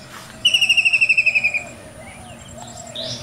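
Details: Common myna (shalik) in a village garden with mango trees gives a quick burst of about a dozen clear, high, evenly spaced notes drifting slightly lower, then falls quiet over faint outdoor noise.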